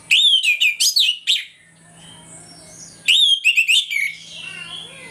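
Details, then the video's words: Orange-headed thrush (anis merah) in the morning sings two bursts of loud, rich, varied whistled phrases sweeping between high and very high notes, separated by a quiet pause; used as a lure to rouse other birds' emotion. "ANIS MERAH NGEPLONG PAGI"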